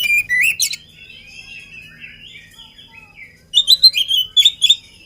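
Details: Oriental magpie-robin, energetic and unfed, giving a loud burst of high notes, then soft, faint warbling for about three seconds, then a strong series of sharp, whistled notes and quick chirps.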